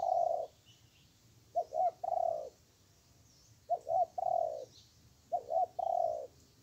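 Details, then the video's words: A wild spotted dove responds strongly to a decoy during trapping. It coos in low, mellow phrases of two quick notes then a longer drawn-out croon, repeated about every two seconds over a faint background hiss. "Bẫy chim cu gáy. Mồi yếu gặp bổi hung giữ. Con bổi âm tốt có kèm."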